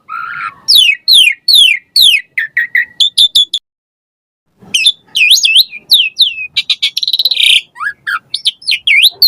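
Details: Energetic chatter of an Asian pied starling, used to coax captive starlings into singing: fast strings of sweeping whistled notes, a one-second pause, then another dense burst of squeaks, slurs and a harsh rasping note.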